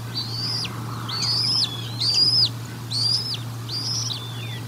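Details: Five sharp, high whistled chirps, roughly one a second, each bending down at its end, come from a bald eagle during feeding at the Decorah North nest on 1 April 2022; faint low hum behind.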